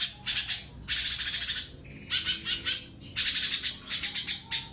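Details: Sumatran leafbird (cucak cungkok) in loud tembakan song, used as masteran training audio for competition birds: dense, high twittering bursts of about a second each, separated by brief gaps, with several sharp notes closing the sequence.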